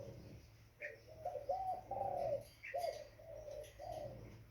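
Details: Juvenile spotted dove cooing in short, wavering, slightly rising notes spaced irregularly, with brief faint chirps from other birds and low background hum.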